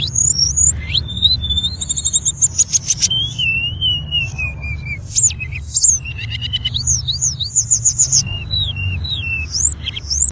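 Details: Tledekan (hill blue flycatcher) singing, recorded as master song for teaching caged songbirds; high sweet whistled notes alternate with dense chattering trills, rising and falling slurs and brief buzzy bursts, continuous throughout, with low background hum.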